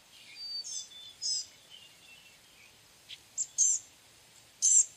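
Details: Blue-gray gnatcatcher giving thin, very high, short wheezy notes and squeaky chips in irregular bursts, with a faint steady hiss behind.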